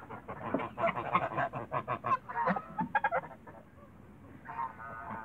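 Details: Toulouse geese kept in a backyard, a run of short rasping honks in the first three seconds, then quieter, with a drawn-out nasal call near the end.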